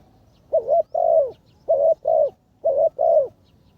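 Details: Ground decoy spotted dove in training calls three evenly spaced double coos, a short dipping note then a rich longer note, roughly once a second.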